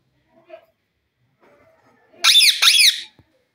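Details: A jungle parrot calling in the evening gives two harsh, loud screeches in quick succession, each rasping and slightly arched in pitch, after a few faint soft sounds in an otherwise quiet setting.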